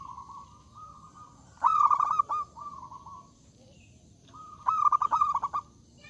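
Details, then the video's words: Zebra dove in full song, loud and inviting rivals to sing: a soft level hum precedes bursts of rapid stuttered cooing notes, two phrases a few seconds apart, over steady background hiss. "Suara Burung Perkutut Gacor Suara Besar Mengundang Lawan Bunyi"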